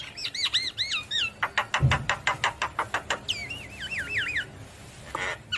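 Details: Energetic Javan myna song aimed at making silent mynas reply: looping whistled notes, a long series of sharp evenly spaced clicks, then undulating wavy whistles and a short rasping burst.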